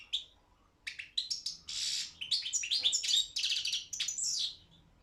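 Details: Competition Balkan goldfinch singing: a lone chirp, a pause, then a lively run of twitters including a harsh buzzy note and bright tinkling trills, fading to quiet at the end.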